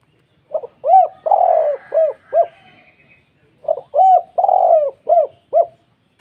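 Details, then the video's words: Spotted dove delivering its characteristic 'kuk 2' call, thick and deep, to provoke other doves: two matching phrases, each of quick stuttering coos, a long coo, then two clear arched notes. "PANGGILAN KHAS ( KUK 2 ) SUARA tebal dan besar Membuat tekukur IKUTAN PANASS"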